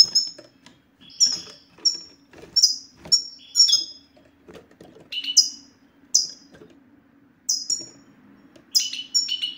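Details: Goldfinch 'batbata' sequence aimed at making a male goldfinch sing: crisp, high, falling chirps repeated every second or so, grouping into doubled and tripled notes toward the end, faint background hum throughout.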